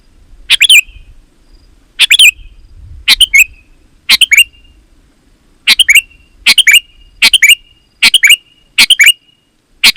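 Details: Sooty-headed bulbul, used as a lure for wild bulbuls: short bright phrases of two or three quick chirped notes, each ending in a brief falling whistle, repeated irregularly about once a second or two, with a faint low rumble.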